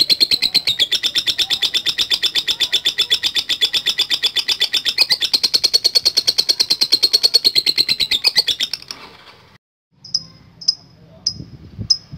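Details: Lovebird delivering a long ngekek song: rapid, rattling high chatter held unbroken for about nine seconds, then silence and a few sharp, isolated chirps at the end.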